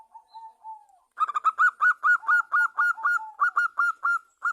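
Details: Actively singing local zebra dove, recorded as a lure to prompt other doves to sing: a soft low coo, then a loud rapid string of ringing, clipped notes, about four a second, with a lower note woven in.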